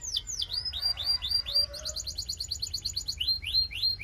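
A Belgian canary sings a rapid, continuous stream of high, sweeping whistled notes and fast trills, about four notes a second, with a faint low hum underneath.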